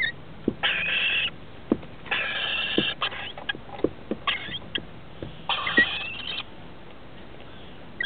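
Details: Rainbow lorikeets feeding their 21- and 17-day-old chicks in a nest under a house roof, October 2013: three or four coarse, rasping bursts mixed with sharp taps and clicks, then quiet.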